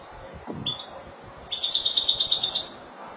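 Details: Spanish Malaga-style European goldfinch: a couple of short, high chirps, then a rapid, sparkling twitter lasting about a second.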